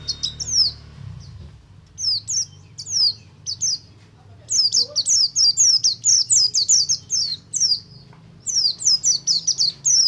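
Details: Oriental white-eye, Buxtomi type, singing ngalas to prompt other white-eyes to sing: scattered high downslurred whistles build into a fast rapid-fire series of sharp descending notes, with a low background hum early on.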